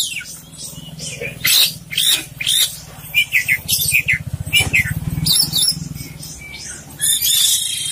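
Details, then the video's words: Kacer poci Oriental magpie-robin giving energetic full isian song, a rapid string of sharp chirps, downward-slurred whistles and buzzy trills over a steady low rumbling hum like an engine. "suara kacer poci gacor full isian"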